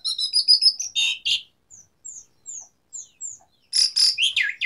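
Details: Lively Asian pied starling song used to prompt starlings that have stopped singing: harsh chattering bursts, then a row of five thin, clear, downslurred whistles about a third of a second apart, ending in loud rasping chatter.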